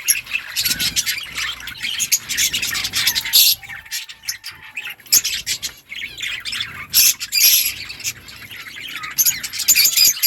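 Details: Budgerigars chatter to each other with continuous high scratchy chirps and squawks in rapid bursts, a steady faint tone beneath and occasional louder sharp calls.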